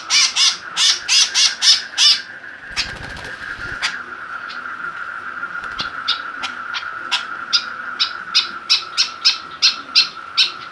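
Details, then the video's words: Caged white-breasted woodswallow, provoked with a plastic bottle it dares to attack to make it fiercer and more vocal, gives loud harsh rasping notes in fast bursts, a rustling clatter midway, over a steady high hum. "burung kekep babi semakin ganas dan gacor"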